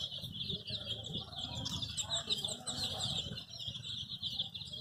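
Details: Several baby chicks, dyed in colours, chirping as they look for their mother; dense high peeping runs continuously throughout, with soft rustling and low handling noise underneath and a sharp click at the end.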